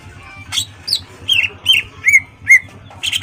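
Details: Actively singing greater green leafbird, its song used to rouse a rival to fight; several sharp whistled notes, a few rising then falling, about two to three per second, with a low droning hum beneath.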